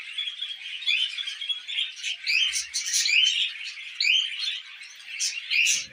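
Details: Pet budgerigars, tamed, chattering while eating millet: steady high twitter with rising whistled notes and scratchy bursts from several birds, quiet apart from a faint rustle at the end.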